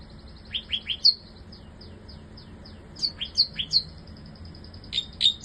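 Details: Bar-winged prinia kept in a cage; short phrases of quick, high, descending chirps alternating with a thin, steady high whistle, repeated in several bursts.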